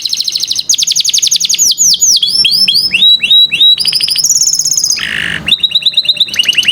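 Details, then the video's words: Canary song meant to train young canaries to sing, fast and varied: rolling trills of repeated high notes, cascading downward whistles, a brief harsh buzz, then quick repeated chirps continuing to the end. "Pancingan KENARI PAUD malas BUNYI"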